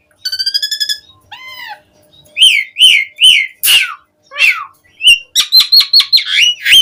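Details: Asian pied starling song as a singing lure: a buzzy rattling trill, a nasal squeal, then repeated squawky whistles and a fast jumble of chattering notes.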